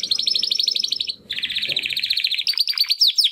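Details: Two young Timbrado canary brothers, born in the second breeding of 2020, making first attempts to sing after their first molt: fast buzzy rattling trills, then a lower rolling trill and sharp descending notes.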